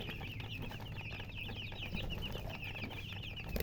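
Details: Freshly hatched chicken chicks calling loudly, a crowded flurry of short, bright peeps tumbling over one another without pause, over a low background hum.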